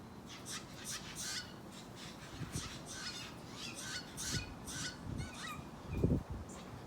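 A young Steller's jay gives harsh, raspy, caw-like calls in a steady series, about two each second, over a low rumble of background noise.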